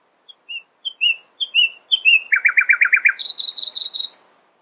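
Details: Nightingale song at dawn: soft whistled slurs speed up and grow louder, leading into a rapid low repeated trill, then a higher chattering trill ending on a sharp note.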